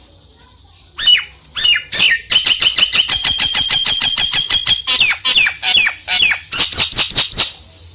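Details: Nias hill myna song meant to provoke a lazy myna to sing: loud, ringing whistles and harsh, rapid notes repeated several times a second in a steady, chattering stream.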